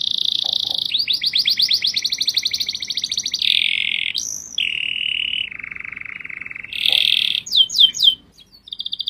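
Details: Canary delivering extended rolling trills at shifting pitches, a brief high burst, a deeper buzzy roll, then loud trills, quick upswept chirps, and a final high trill.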